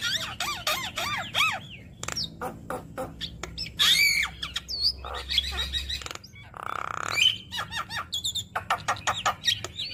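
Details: Lively Javan myna song with many borrowed phrases, used to prompt other mynas to sing; quick looping whistles, dense clicks, harsh rasping notes and a nasal buzzy burst, continuing steadily throughout.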